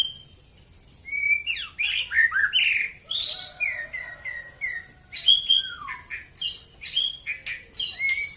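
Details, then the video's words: White-rumped shama singing in the morning, Prambanan, Klaten, Central Java: varied clear whistles, slurred notes and rapid chattery bursts in phrases separated by short pauses, with a faint steady high hiss behind. "KICAU BURUNG MURAI BATU DI PAGI HARI"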